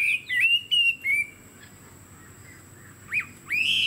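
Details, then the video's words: Caged Chinese hwamei giving a few loud slurred whistles, a pause of near silence, then two short sharp rising whistled notes. "Họa mi đuôi xòe, dáng dấp cao cầu | Hoạt Họa Mi"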